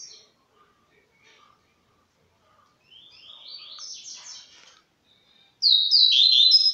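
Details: A young songbird starting to sing starts with soft, scattered high chips, then runs into thin twittering phrases and ends in a loud, bright burst of rapid notes. Nothing else intrudes.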